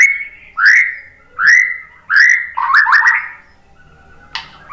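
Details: White-rumped shama whistling to provoke other birds to sing. Loud rising whistles come about every 0.7 seconds, each swelling and tapering, followed by a quick stuttering cluster of slurred notes and a short sharp note after a pause.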